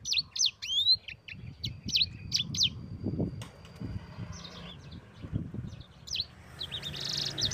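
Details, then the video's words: Yellow-fronted canary (sanger) singing gacor ngerol, a lively rolling song meant as a training recording for other birds: quick high chirps and upslurred whistles in bursts during the first three seconds, then fainter twitters over a low rumbling background. "Suara Burung SANGER GACOR Ngerol Pedas paling ampuh untuk Pancingan dan Masteran"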